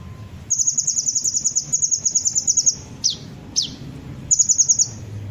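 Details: Sunbird song played as a lure to draw birds into singing: a long, rapid, very high trill of even ticking notes for about two seconds, two sharp falling whistles, then a shorter trill, over low rumbling noise.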